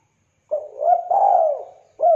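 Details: A spotted dove for luring and tutoring birds utters one clean low phrase, a short introductory note followed by a longer warbling coo that swells and then fades, and a fresh phrase starts at the end.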